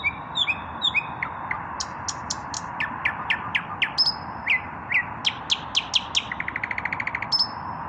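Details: An unpaired male common nightingale's evening song: soft slurred whistles, a long series of loud sharp descending notes, a drawn whistle, then a rapid, even, throbbing trill and a final thin whistle, over background hiss.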